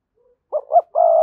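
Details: Part of a spotted dove's decoy coo used to set other doves cooing: two short hooting notes followed by a long, steady, mellow coo.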